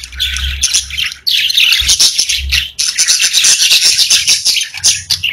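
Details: Several pet budgies warbling and chirping rapidly, dense high chatter with quick clicks repeated many times, a short quiet gap early on, and faint low hum underneath.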